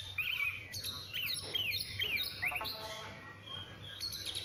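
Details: Oriental magpie-robin (kacer) repeating rising, slurred whistles roughly every half second, mixed with high chattering trills, over a steady low hum.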